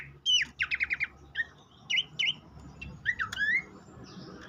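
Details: Horsfield's babbler singing, meant to stimulate a raw captive bird. A quick burst of repeated downslurred whistles is followed by paired looping notes and a longer rising whistle near the end. A faint hum runs underneath.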